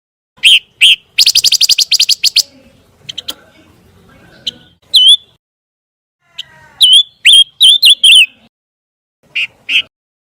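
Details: Scarlet minivet, clean master recording for training white-rumped shamas: a couple of sharp notes and a fast buzzy chatter, quiet scratchy sounds, then clusters of clear curling whistles and a few final chips.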